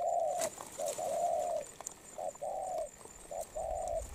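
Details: Spotted dove in moult delivering fast coos, long smooth level notes alternating with short clipped ones, close and loud with a quiet background.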